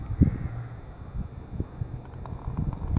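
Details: Crows calling around Christmas time in Mužlja in 2016: a few short, faint harsh caws scattered through a few seconds, set against low rumbling background noise.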